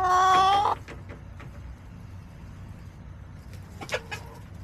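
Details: Backyard chicken recorded July 17, 2024: a loud, close harmonic crow ending abruptly under one second, followed by quiet clicks and one short clipped call near the end over soft rumble.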